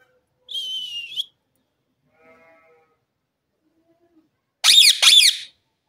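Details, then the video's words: Pet green parrot, filmed while dancing and playing tricks: a clear whistled note with bright overtones, faint low murmurs, then two loud, harsh, buzzy screeches in quick succession near the end. "green parrot bird sounds"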